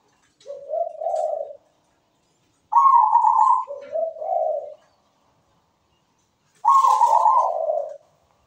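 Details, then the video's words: Zebra dove singing frequently with a sweet, well-rhythmed voice: a soft low purring coo, then a higher bright coo dropping to lower rolling notes, and after a pause a final high-then-low phrase. Quiet background. "PERKUTUT GACOR SUARA MERDU"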